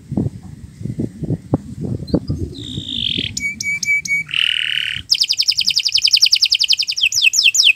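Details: Canary singing for use as a master recording for other birds, after a stretch of low thumps and rumble: a buzzy slur, spaced pure notes, a coarse buzz, then a long, quick, high trill and falling whistles.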